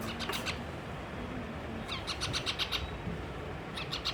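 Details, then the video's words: Baby pet parrot, upset and refusing food, lets out a short run of thin, high chirps at the start, then a longer rapid series of six or seven sharp notes, over constant low room noise. "baby parrot 🦜hua khana ka waste ma gussa aur gussa ka waja sa khana nahi khaya"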